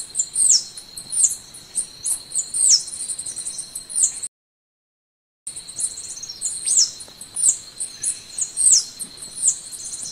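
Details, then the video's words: Golden-winged sparrow (Arremon schlegeli) singing very high, thin, sibilant notes, some slurred downward, repeated about every half second over a steady insect-like hum. "Canto do pássaro arremon schlegeli"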